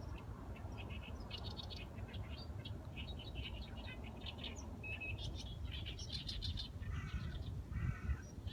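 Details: Outdoor chorus of birds giving quick high chirps and short twittering phrases, several overlapping throughout, over a constant low-pitched background rumble.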